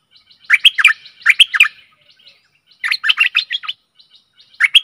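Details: Stripe-throated bulbul singing as a decoy for aggressive wild birds, giving short gurgling phrases of several liquid notes that dip and rise, about three phrases in five seconds.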